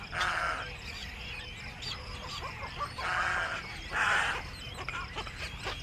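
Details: Black-crowned night heron returning to its nest in the evening: three harsh, raspy squawks about a second apart over a steady background of soft clicking and chatter from other birds.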